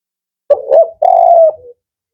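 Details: Firm, rhythmic 'Kuk 4' call of a male spotted dove. Two quick mellow coos run into a drawn-out steady coo with a brief soft tail. No other sounds.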